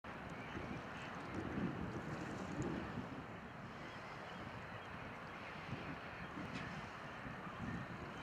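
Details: Gusty wind noise and breaking waves on the coast at Rålehamn by Torekov, a continuous rushing roar without any distinct animal call.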